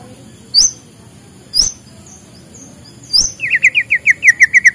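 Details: White-rumped shama in the morning, used to stimulate lazy birds: three sharp high chip notes spaced about a second apart, then a quick run of short repeated whistled notes, evenly spaced and slightly falling.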